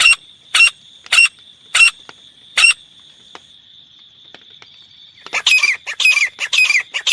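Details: Grey francolin giving short, separate harsh notes spaced about half a second apart, then breaking into a faster run of grating phrases with falling squeals. Recorded as a lure for catching francolins.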